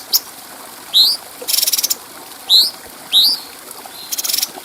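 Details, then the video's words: Cucak cungko bulbul, clearly voiced, recorded as a master for training other birds: sharp rising slurred whistles spaced about a second apart, interleaved with short buzzy rattles and quick ticking runs. "Masteran Burung Cucak Cungko Suara Jernih"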